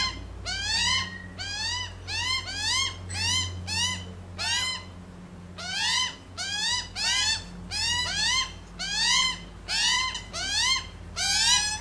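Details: A group of Australian magpies on a lawn, one of them dominant, giving upward-sweeping nasal calls, around seventy-five a minute, in uneven runs with short pauses.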